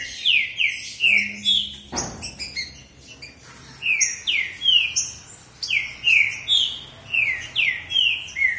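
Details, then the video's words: ['Dueling male green-winged saltators pour out fast runs of descending whistled slurs, interrupted by a sharp knock, then resume with rhythmic bursts of rich, ringing notes.'] "O Alquimista dos Trinca Ferro! Mostrando essa disputa de alto nível!"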